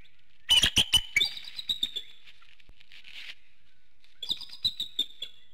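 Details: Bald eagle call at a nest in Hanover, Pennsylvania, at 7:06 a.m., recorded by infrared nest camera during morning wake-up. A few loud staccato notes open, trailing into softer clicks, then a later run of thin, high whistled chips.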